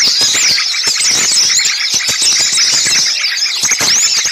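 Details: Small birds in a noisy, busy lure track meant to draw birds for catching: a continuous shrill twittering with repeated curling whistled notes and scattered sharp ticks.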